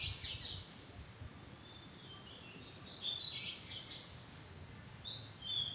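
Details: Oriental magpie-robin in a tree thicket, with high sweet notes at the start, a pause, then a run of sharp whistles and a final pair of clear downslurred whistles.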